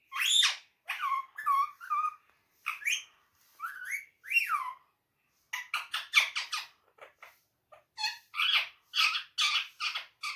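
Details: Indoor pet parrot mimicking Urdu/Hindi phrases: long stretch of varied speech-like syllables, whistled sliding notes and harsh squawks, delivered in quick rhythmic groups.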